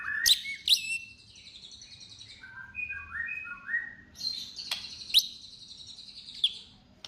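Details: Softer white-rumped shama song used to bait other shamas into singing: loud sharp snaps, a short series of mellow descending whistles, then high buzzy warbling phrases.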